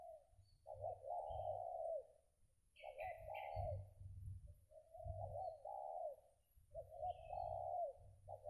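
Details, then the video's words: A post-moult spotted dove sings belah rotan coos, soft low phrases about every two seconds, while fainter higher bird chirps and low rumbling are heard behind. "Mantap sedotan nya untuk BB sekelas ajaran, Ranking no. 2 BB belah rotan"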